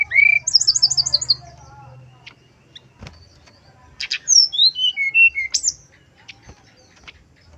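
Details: Male brown-chested jungle flycatcher, flute-like lure song meant to provoke other males: a rising whistle then rapid high trilled notes, a pause with low hum and clicks, then a cascade of whistles stepping downward and a sharp high upslur.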